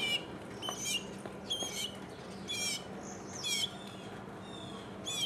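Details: Mockingbird recorded singing solo in 2015, giving harsh, scratchy squawk-like phrases mixed with thin high whistles, repeated roughly once a second with short gaps, over a low hum.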